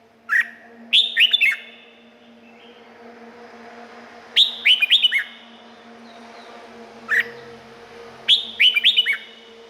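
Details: Red-whiskered bulbul from Thailand singing four lively phrases of quick, warbled whistles, each a cluster of three to five rising-falling notes, over a steady low hum in the background.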